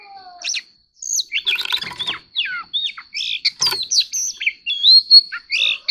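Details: White-rumped shama singing competitively: a busy, fast jumble of twisting whistles, chirps and slurred notes, broken by sharp rattling clicks.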